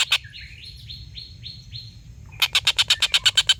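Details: Collared kingfisher long laughing call, kept as a tutor recording for competition birds: a series of short upslurred whistles is followed by a burst of about a dozen rapid, harsh, evenly spaced chattering notes.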